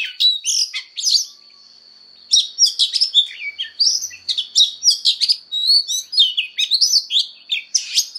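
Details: Oriental magpie-robin voice-training fighting song, a burst of chattering whistles, a one-second pause, then a long fast stream of sharp chirps and slurred whistles.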